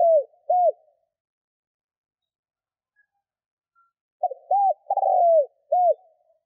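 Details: Spotted dove cooing, a recording used to prompt other doves to coo quickly; low hollow phrases of a short note, a rounded coo, a long drawn-out slurred coo and a final rounded note, heard twice with a pause between, no other sounds.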